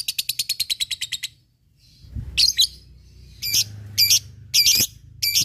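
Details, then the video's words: Lovebird ngekek, sung to provoke rivals and prepare fighting birds: fast chattering trill, a pause, then loud harsh screechy bursts at irregular intervals. "SUARA LOVEBIRD NGEKEK MEMANCING LAWAN BUNYI BURUNG BAHAN FIGHTER CEPAT RESPON"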